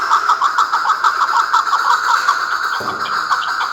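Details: Chukar partridge calling with rapid repeated clucking notes, about three per second, in a steady chattering series.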